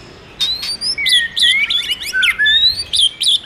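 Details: White-rumped shama song, stimulated by a female: high, rapid sequence of sliding whistles and sharp downward-swept notes, bright and varied, delivered almost without pause over several seconds.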